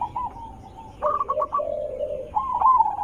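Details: Zebra dove used to lure others into answering: soft coo, then a few short staccato notes over a low purring trill, ending in a rising coo.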